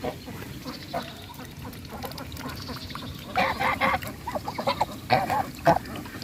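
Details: Loud calls of a Bangladeshi goose: faint, spaced honks at first, then a cluster of short, harsh, nasal notes repeated in quick succession during the second half, with low background noise.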